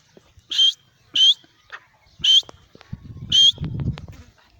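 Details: Francolin, known locally as teetar, giving loud, harsh, grating notes in short bursts repeated about every 0.6 seconds, with a low rumbling noise after the last calls.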